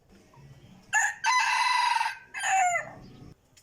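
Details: Full crow from a decoy rooster that crows very well: a short opening note, a long harsh sustained middle and a falling final syllable, all within about two and a half seconds.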